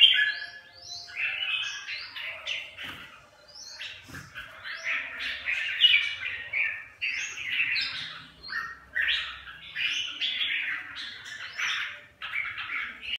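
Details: Several red-whiskered bulbuls harassing each other, producing a rapid, uninterrupted chatter of chirps, squawks and slurred whistled notes, with occasional soft low thumps in the background.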